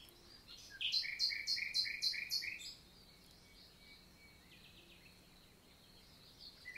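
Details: Wild common nightingale in the Célé valley, Lot, southern France, summer daytime, June 2023, countryside forest: a quick burst of rapidly repeated loud notes lasting about two seconds, then near silence with a faint thin whistle and soft distant notes.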